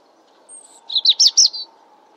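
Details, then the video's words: A European robin sings a short phrase: a drawn-out very high thin note, then four quick bright warbled trills descending slightly, clean and close. "Vogelstimmen: Das Rotkehlchen - Robin - Erithacus rubecula"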